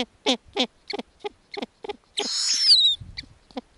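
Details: Arctic snowy owl owlets on the nest while the mother tears up lemmings for them. Quick series of short, throaty clucks, then one long rasping screech that trails into a descending whistle, followed by low rustling.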